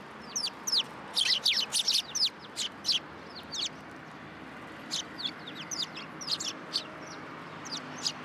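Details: Several sparrows gathering for food at a Tenmangu shrine, 3 October 2022, give a busy stream of quick high cheeps and chirps, bunched in flurries then scattered, with quiet background murmur.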